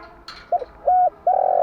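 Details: Spotted dove morning cooing, played to lure and train decoy doves: a short soft note followed by two longer, flat, hollow coos near one pitch, the last drawn out.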